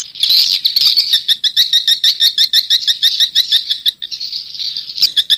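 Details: Old-style 'SP jadul 1972' swiftlet call, played to attract swiftlets: a fast, even trill of high, thin chirps, roughly three a second, with a brief break before the chattering resumes.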